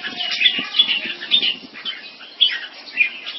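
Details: In a Singapore-style competition between two caged red-whiskered bulbuls from champion mutant crossbreed bloodlines, continuous chattering, warbled song fills the air. Sharp whistled accents stand out about every half second over a busy background of softer notes.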